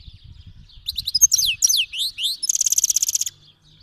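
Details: Himalayan and black-headed cross goldfinch from Fars province, Iran, singing for young birds to learn: quick chirps and rising-falling slurs leading into a fast, even buzzy trill, over faint low background rumble.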